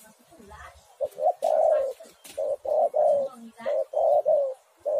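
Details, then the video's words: Spotted dove song for luring doves into calling: a run of rounded coo phrases, each a short note leading into a longer, steady mid-pitched coo, given almost without pause. "tekukur super gacor sekali putar langsung nyaut"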